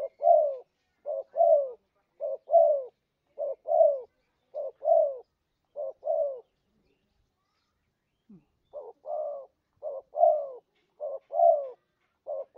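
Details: Spotted dove cooing used to lure birds into traps: even pairs of short and longer falling coos, a two-second break, then a denser run of pairs.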